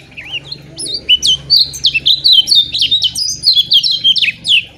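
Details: Lemon-bellied white-eye song, played as a tutor recording for caged birds that are reluctant to sing. Its notes are quick, tightly packed and short, loud and steady. Rapid, high, sweet twittering notes slur up and down in a continuous run of short bursts. A faint low hum sits underneath.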